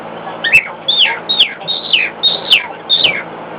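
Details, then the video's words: Pet cockatiel singing louder than normal in response to a hairdryer running in another room; a rapid series of bright, falling whistled notes, about six phrases in under four seconds, with a steady low hum beneath. "singing to a hairdryer in the next room"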